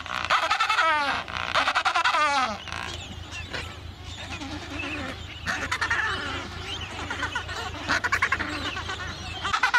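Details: Breeding colony of Adélie penguins, Paulet Island, Antarctica, 1 February 2019: a loud rhythmic braying display with rapid pulses opens, then a din of overlapping harsh calls from many birds over constant low wind noise.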